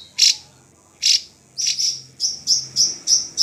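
A drongo gives two sharp, high notes, then a quickening run of bright chirps, each note slightly rising and clipped.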